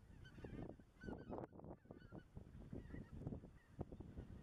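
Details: Greater white-fronted geese calling under the spring moon in the Dannenberger Marsch, 25 March 2013: a scatter of short, nasal, yelping notes from several birds, irregularly spaced, with deep background rumble and soft knocks.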